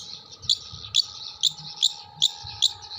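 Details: Long-tailed shrike from Jember repeating mimicked material of kuntilanak, sparrow and tengkek buto: loud, piercing high chips spaced about 0.4 seconds apart, with a soft hum and rumble in the background.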